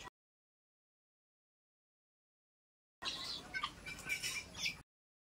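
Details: Young guineafowl chicks peeping in short, high, rapid chirps, several overlapping over about two seconds, over faint background hiss.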